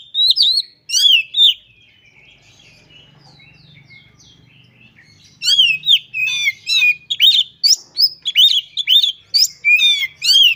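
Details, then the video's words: Oriental magpie-robin singing vigorously, showing off its mimicry repertoire: a few loud whistled phrases, four quiet seconds with a faint low hum, then a long, rapid, almost continuous stream of sweeping whistles and chirps. "Burung Kacer Gacor Ngobra Suara Menggila Bongkar Isian"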